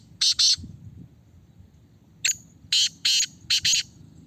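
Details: Caged black francolin in a red cage being tested for its call: two harsh rasping bursts, then a short sharp note followed by a grating phrase of four loud scratchy notes, over a faint low background hum.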